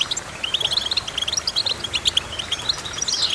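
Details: Goldfinch twittering: rapid, bright high chirps and tinkling notes in quick overlapping bursts throughout, several voices seemingly mixed, with a faint steady background hiss.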